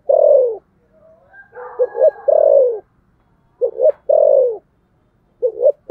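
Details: Contest-cooing spotted dove in the thổ sấm style. Each phrase is a pair of quick low notes leading into a drawn-out falling coo, heard three times. Softer cooing from another dove sits in the gaps.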